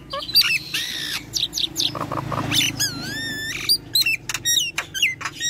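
Nias hill myna giving a varied run of loud whistles, harsh squawks and rising-falling wavy notes, packed closely over a few seconds with a low steady hum beneath.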